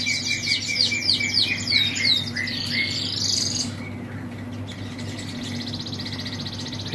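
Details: Mule siskin, a shop bird in full song, singing a fast, high twittering song of rapid chirps and descending trills, with a low background hum.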